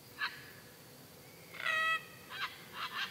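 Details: A pair of Sulphur-crested cockatoos at sunset one evening at Commalie Farm near Darwin, Australia, give harsh, grating screeches: a brief squawk, one long raucous screech, then two shorter rasping calls, with no other sounds.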